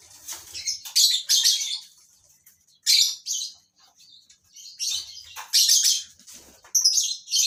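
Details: Colony of breeding lovebirds in captivity: loud, grating high-pitched chirp bursts repeated every second or two, separated by near-quiet gaps.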